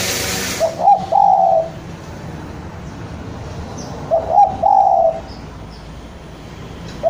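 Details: Spotted dove of the Java type, an energetic bird calling out to a rival. Two cooing phrases about three seconds apart, each a short clipped note followed by a longer, soft, hollow coo, over a faint background hum.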